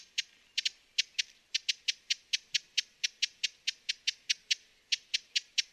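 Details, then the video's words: Rapid, dry, high-pitched chip notes from a broad-billed hummingbird, some doubled, repeated several times a second against a soft background hiss. "Broad-billed Hummingbird Bird Sounds"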